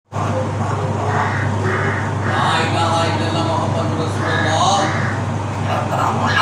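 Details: A pet Alexandrine parakeet repeats the Islamic phrase "La ilaha illallah Mohammed ur Rasool Allah" in a throaty, speech-like voice, over a steady low hum of traffic.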